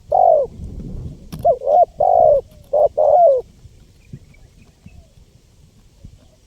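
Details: Spotted dove (tekukur) used as a lure for wild birds: a long drawn coo, then a phrase of short and long soft coos ending about three and a half seconds in, followed by quiet low background noise.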